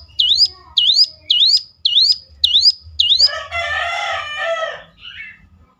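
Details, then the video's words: Bar-winged Prinia used as a lure to make other birds call back: six sharp, high, hooked notes repeated evenly about twice a second, followed by a harsher, lower, rasping chattering burst. "ciblek lain ngecLak ikut nyaut || mesti Nyautnya."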